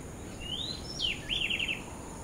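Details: Least Grebe at Posada Granja El Ojito, Falcón, Venezuela, gives a thin rising whistle, then a sharp falling slur and a quick run of five or six chattering notes, over a steady high insect hum.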